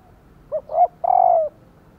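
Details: Female spotted dove giving a call meant to make males coo in reply: one low phrase of a clipped hoot, a swelling middle coo and a long, slightly burry coo falling at the end.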